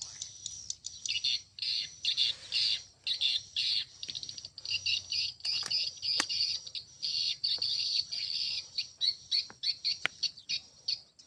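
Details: A long run of swiftlet chatter: high, scratchy chirps packed into rapid bursts that follow one another almost without a break, with a few sharp clicks mixed in.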